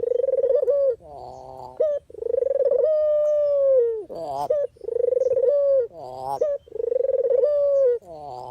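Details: Dove, called puter or deruk, recorded as a lure for trapping and for training; a rolling, purring coo gives way to a long, level, hollow note that dips at the end, the phrase repeating about four times.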